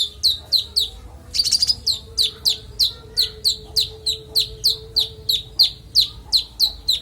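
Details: Clear konin song used for tutoring songbirds: a long regular series of sharp down-slurred high notes, about three each second, broken once by a brief rattling burst.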